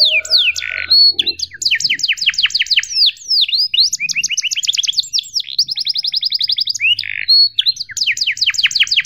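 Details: Tutor song of a canary for young birds to learn: sharp downslurred whistles, rapid rattling trills and a brief harsh buzzy burst, continuous and loud with steady bright high notes.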